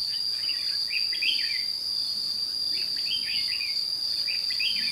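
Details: Decoy-driven fighting song of a red-whiskered bulbul at a trap in Thanh Liêm, 29 May 2016; three clear groups of lively warbled whistles, with a continuous shrill insect tone behind.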